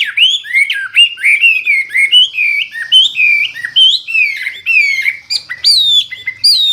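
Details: Hwamei, also called wambi, in loud clear full song: a continuous stream of varied rich whistled notes, rolling and swooping at mid pitch with sharp high accents.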